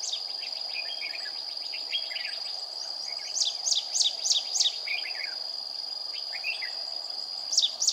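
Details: Red-whiskered bulbul decoy bird used for trapping, singing a fighting song on a 40-degree day, 20 April 2019; quick warbled phrases and sharp steep up-down whistled notes in bursts, over a constant high, steady insect drone.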